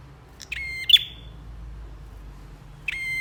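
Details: Singing bar-winged prinia in a training recording for songbirds: one clipped phrase of buzzy, rattling notes finishing in a sharp high note, then the start of a second phrase after a pause. Steady low rumble underneath.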